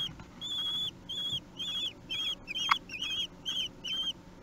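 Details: Three-week-old kestrel chicks calling for food during a feed, Théding, France, June 2021: evenly spaced high, slightly wavering whistled squeals about three per second, one sharp click midway.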